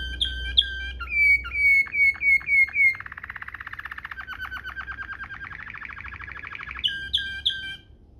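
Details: Canary singing in the Waterslager 'ngerol' manner, a tutor recording for young canaries. Short clear whistled notes come first, then a long fast rattling roll that climbs gradually, closing with a few bright chips.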